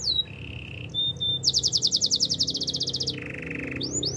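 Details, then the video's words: Canary singing in the wild runs from a short buzzy roll and clear whistles into a very fast, bright, pulsing trill, then a lower rattling trill and two sweeping up-slurred notes. "melodies canary bird sounds in the wild"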